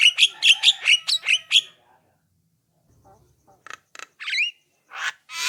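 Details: Javan myna song meant as a lure to prompt other mynas to reply: a quick run of buzzy notes, then a pause followed by scattered clicks and a rising whistle.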